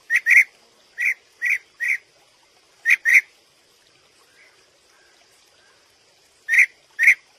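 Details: Short burry calls of a European bee-eater, paired and single notes delivered in bursts, followed by a long quiet pause before two more notes close the sequence; faint high hiss throughout.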